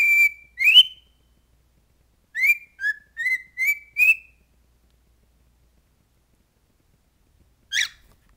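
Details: Cockatiel whistling a phrase of the LSU football song "Hold That Tiger": two opening notes with an upward slide, then a quick run of four short stepped whistles, a long pause and one final brief note.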